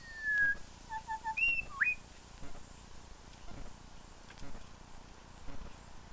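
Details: Male Grey Shrikethrush singing at its own reflection in a mirror: a loud whistled phrase in the first two seconds, with a sustained clear note, three short lower notes, then a sharp upslurred whistle, followed by quiet background with faint knocks.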